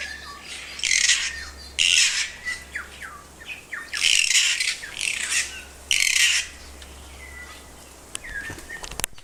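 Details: Kaka, New Zealand's endemic parrot, recorded in Tawharanui Regional Park near Auckland: a series of coarse, noisy squawks in bursts of about half a second, separated by quick rising whistled notes, ending with a sharp click.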